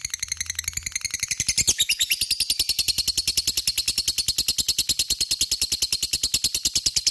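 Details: Long ngekek of a lovebird, meant to draw a reply from other lovebirds; starts with softer scratchy notes, then after a brief sharp click settles into a loud, fast, rattling trill of shrill pulses that runs on steadily.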